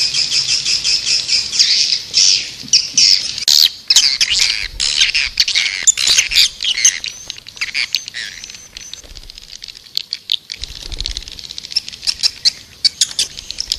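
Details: Swiftlet calling in a busy stream of high, shrill chirps and twitters, loud and dense at first, then thinning into scattered squeaks with sharp clicks between them.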